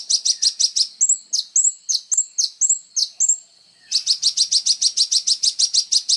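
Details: Kolibri ninja sunbird singing hard, offered as songbird training material: a rapid high trill opens, then sharp chirps paired with short whistles, and another long even trill of quick piercing notes.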